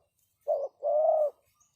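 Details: Spotted dove calling as a lure decoy, one clear phrase of a short coo followed by a longer, level, mellow coo, in otherwise quiet surroundings.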